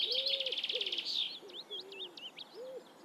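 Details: Eurasian reed warbler song opens with a loud, grating, rapidly pulsed churr, then breaks into jerky slurred notes, while a separate low, soft, mellow whistle sounds several times underneath.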